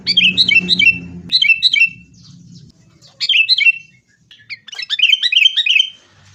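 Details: Sooty-headed bulbul giving fighting-style lure song for caged birds: bursts of quick, sharp, falling chirps and chatters in several phrases with gaps, over a low droning background at the start.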